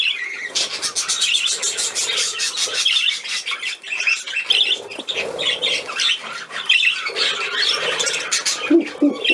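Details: On 13 December 2019 a playing budgerigar chatters in long runs of squeaky, scratchy warbling, with fluttery wing-like rustles, short pauses and a few sharper notes near the end.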